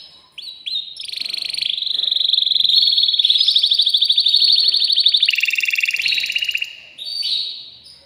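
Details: Caged male canary, described as excited and singing to arouse a female for mating, delivers a long, loud, rapid rolling trill of fast repeated notes that shifts pitch in steps.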